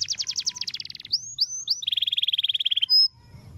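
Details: Long roll canary song used to train other birds: a fast buzzy trill, then a few high upslurred whistles, then a long even rolling trill of rapid pulses, closing with a short thin whistle.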